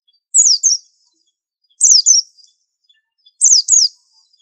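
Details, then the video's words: A white-eye (pleci) sings high, thin paired notes, each sliding steeply downward, in short phrases about every one and a half seconds against a quiet background. "Pleci super antik masterannya harus unik"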